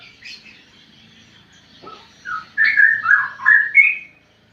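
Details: Straw-headed bulbul not yet five months old learning to sing, delivering a short run of loud, mellow warbled notes that climb and dip, preceded by faint high chirps and a brief soft sound.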